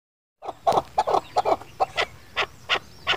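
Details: Chukar partridge, Pakistan's national bird, calling for use as a hunting lure: a series of sharp clucking chuk notes, irregularly spaced at first, then higher, brighter notes roughly every third of a second toward the end.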